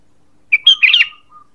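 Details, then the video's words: Sooty-headed bulbul call used as a lure: a brief whistle, then a clear level whistle running into a fluttering, bubbly chatter. A faint short whistle follows. "Suara PANGGILAN dan pikat ampuh burung KUTILANG"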